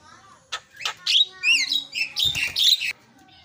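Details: Javan myna used as a lure to make silent mynas sing quickly: a run of harsh chattering bursts mixed with short whistled, upslurred notes, loud and busy for about two and a half seconds.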